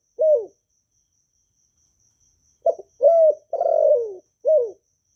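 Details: Vietnamese spotted dove kept as a cage bird, calling to stimulate newly caught doves. A lone arched coo, a pause, then a four-part phrase: short stutter, arched coo, drawn-out descending coo, final arched coo. No background noise.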